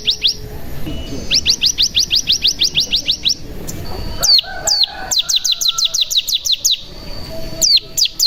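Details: Mountain tailorbird (cigun) lure song meant to prompt other birds to sing. Rapid high notes repeated in bursts, with sharp downward-swept whistles and a faint steady tone in the background.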